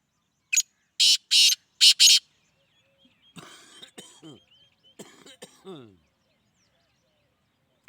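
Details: A black francolin's harsh call of a short note and four loud rasping bursts, followed by quieter mixed chirping notes and faint scratchy sounds.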